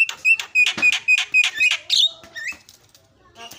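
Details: Javan myna lure song, played to make birds that have stopped singing sing fast and excitedly: quick run of sharp whistled notes near 2–3k with buzzy harmonics, about four a second, then a falling whistle and a soft trailing phrase.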